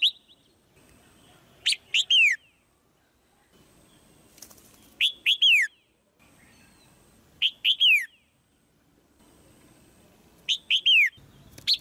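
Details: Female white-eye calling from a cage to excite the male's song; bursts of two or three sharp, downward-sweeping high chirps recur about every three seconds, with soft rustles between.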